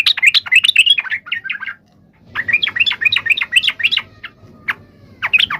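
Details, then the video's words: Yellow-vented bulbul fighting song played to make other bulbuls respond: a quick run of bubbly warbled chirps fading out, a short pause, then another lively chattering phrase with scattered single notes. "trucukan gacor SUARA TARUNG INI menjadikan burung trucuk gacor NYAUT SEKETIKA"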